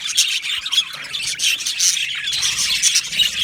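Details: Australian budgerigars in an aviary colony, a dense wall of high chirps, squawks and warbling chatter from many birds at once, continuous with no pauses.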